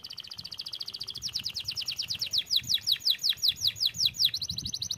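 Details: Canary song in an Indonesian-style 'gacor' recording: fast repeated trills at high pitch, first rapid buzzy notes, then a run of sharply descending slurred whistles, each repeated several times a second.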